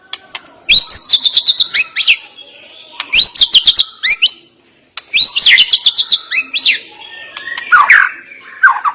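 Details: White-rumped shama (murai batu) song used to rouse a quiet bird: three loud bursts of high, rapid repeated notes and swooping whistles, separated by short pauses of about a second.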